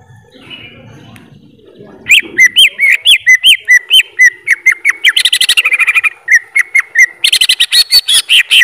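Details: After a couple of seconds of faint low murmur, a greater green leafbird launches into a long, loud song of looping whistled notes, with a fast chattering passage midway and a dense burst near the end.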